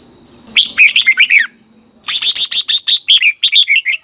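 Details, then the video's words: Red-whiskered bulbul singing in the morning, used to train a wild-caught bird: a short warbled phrase of bright slurred notes, then a longer burst of quick, evenly spaced chirps, with a faint low hum behind. "Luyện chào mào hót sáng, QUÁ HAY - CHÉ KÍCH BỔI CĂNG ĐÉT, luyện chào mào bổi hót căng lửa"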